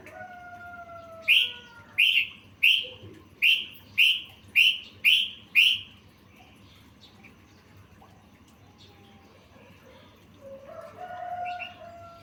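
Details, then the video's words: Trucukan, the yellow-vented bulbul, in a phrase-filled master song for tutoring cage birds: seven loud, bright, falling whistled notes about half a second apart, then quiet with faint drawn-out lower tones and a soft closing phrase. "Masteran trucukan full isian"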